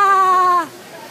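A kookaburra gives a single drawn-out, nasal note lasting about half a second, steady in pitch and then dropping sharply at the end, with no laughing chorus.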